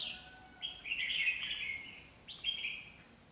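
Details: Two decoy red-whiskered bulbuls used for trapping at Việt Yên, Bắc Giang, Vietnam. Two bright warbled phrases come from them against a steady outdoor hiss, with a faint low tone underneath.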